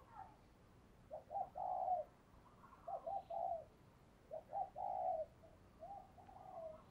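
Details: Distant, quieter cooing of a spotted dove decoy meant to attract wild doves: three grouped phrases of short coos ending in a longer note, about every one and a half seconds, over steady background hiss.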